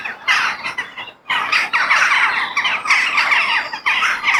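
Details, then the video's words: Crows in a natural setting give a rough, grating chorus of squawking caws. A short lull near the start is followed by steady overlapping calls. "The Sound of Crow In Nature"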